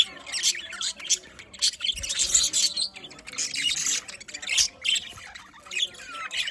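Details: Budgerigars kept as a small bird colony, giving continuous high chirping and warbled chatter, notes rising and falling in overlapping waves, with a faint low thump near the second mark.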